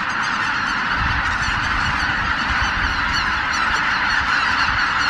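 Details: Over 83,000 greater white-fronted geese leave their roost at Miyajimanuma, Japan, just after 4 a.m. on 23 April 2017 in poor weather, recorded on a Canon PowerShot SX710HS: a dense, unbroken wall of overlapping nasal honks and yelps, with low rumbling underneath.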